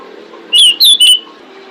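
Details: Female pied bushchat call to attract males: three quick, bright whistled notes, the first falling slightly and the last two slurred, over a faint low hum.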